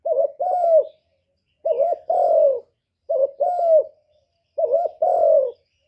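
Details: Spotted dove calling: four low, soft phrases about one and a half seconds apart, each a brief cooing note followed by a longer drawn-out coo that sinks at the end. The background is quiet.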